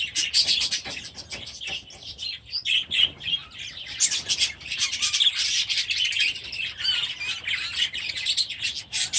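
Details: Young budgerigars from last year's brood, now grown and newly released into a new aviary at the start of the season. Dense, overlapping chirps and warbles from many birds form a continuous high chatter.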